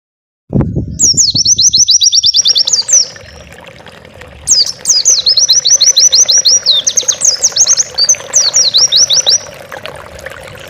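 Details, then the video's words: Oriental white-eye singing vigorously, used as a master recording for training pet birds: two long bouts of very high, rapid twittering notes in quick chattering runs, after a few low knocks at the start. "Masteran burung pleci gacor bukpar"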